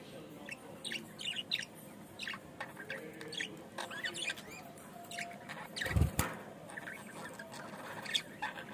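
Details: Budgerigar in Bangladesh giving scattered short chirps and squeaky notes, irregular and fairly soft, with a low background hum and a sharp knock near the six-second mark.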